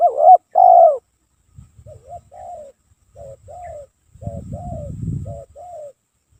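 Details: Spotted dove singing nonstop as a lure: a loud two-part coo at the start, then several quieter, more distant paired coos, with a low rumbling noise partway through.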